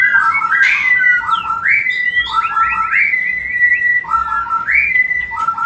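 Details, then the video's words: White-rumped shama song used as a lure to stimulate mating: looping whistled phrases, each a low note sliding up into a clear higher whistle, repeated roughly every one and a half seconds, with faint background hum. "Memberikan Pancingan Murai Batu Agar Cepat Kawin"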